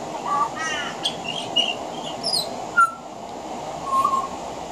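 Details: Veranda song of a pied butcherbird that includes mimicry of other Australian birds: a low flat whistle, a raspy ridged call, a high descending squeak, and clear mid whistles spaced across the clip.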